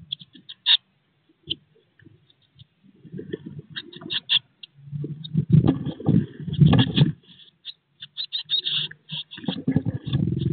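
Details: Eurasian blue tit chicks at 16 days old inside a nest box, not long before fledging: high chipping begging notes mixed with heavy low rumbling and scraping from the nestlings shifting about.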